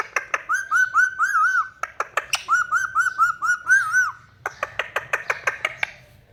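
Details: A pet talking rose-ringed parakeet, excited, chatters in a warbling, speech-like run of nasal, wavering syllables, broken by sharp clipped squawks repeated several times a second, in a small room.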